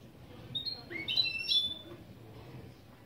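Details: Goldfinch × canary hybrid delivering brief phrases from its opening song: a few clear whistled notes, some rising and some falling, packed into about one second, over low background hiss.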